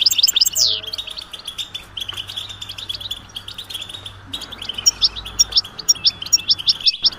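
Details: Mating and readiness twitters of a European goldfinch, played to stimulate a silent male: sharp high chirps in quick bursts, a sweeping note early on, a quieter stretch, then spaced repeated chips, with a faint low hum.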